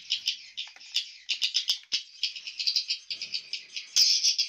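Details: Swiftlets inside a swiftlet house, in the nesting room used for hatching, where nests are rarely harvested. Dense, overlapping high twittering and clicking chirps come in rapid bursts throughout, with the sound of a small enclosed room.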